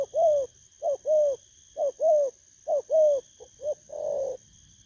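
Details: Wild-caught spotted dove recorded 19 August 2024 as a 'bầu' style lure coo; paired notes, a short clipped coo then a longer falling one, repeated about every second, ending in a fuller blurred coo, steady faint high hum behind.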